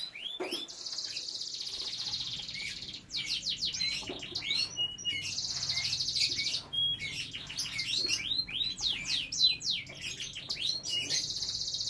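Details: Caged canary kept for breeding, with young canaries nearby, singing loudly: long buzzy rolls alternate with bursts of rapid swooping whistled notes and short flat tones, continuing without pause.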